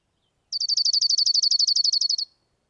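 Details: A dark-eyed junco gives its calm, non-alarm trill, a steady musical run of about eighteen quick, identical high notes over nearly two seconds, at an even, unhurried pace with no other sounds.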